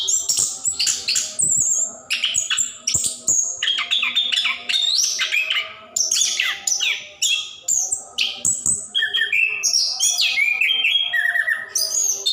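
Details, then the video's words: Orange-headed thrush, plontang type, in gacor ngerol delivery meant as a prompt for caged birds reluctant to sing; torrent of shrill, varied notes, buzzy chips and clear whistles, strung together almost without pause. "Anis Kembang / Plontang Gacor Ngerol | Durasi Panjang cocok untuk pancingan burung malas bunyi"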